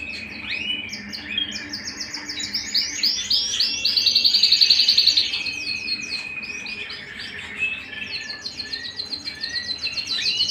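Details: Home canary singing rapid chains of high, evenly repeated notes with a loud, buzzy fast roll in the middle, then more chattering trills.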